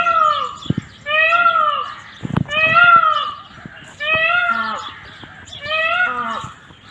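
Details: Indian peafowl giving loud, nasal, harmonic wailing calls, each rising then falling. About five drawn-out calls come roughly every second and a half, with brief clicks and knocks between them.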